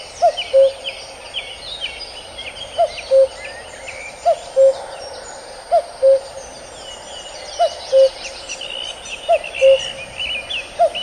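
A male common cuckoo gives its two-note falling "cu-coo" about every one and a half to two seconds, with faint chirping of other birds behind.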